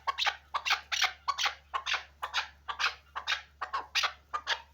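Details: Hunting chukar partridge calling in quick, rasping chuck notes that repeat about twice a second and keep a steady rhythm throughout, with a quiet indoor background.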